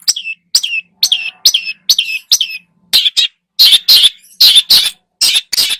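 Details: Repeated high whistles with drooping tails from a long-tailed shrike in a lively lure song. They give way to louder harsh rasping notes in pairs.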